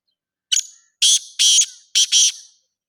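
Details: Black francolin calling: a short harsh note, then three loud, grating, buzzy notes in quick succession, the last one split in two, all within about two seconds, with no other sounds.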